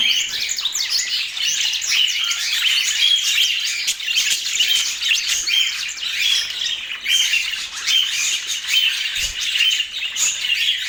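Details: Chirping budgerigars in Portland, a rapid series of clear high chirps repeating roughly every half second over a bed of softer, continuous twittering chatter.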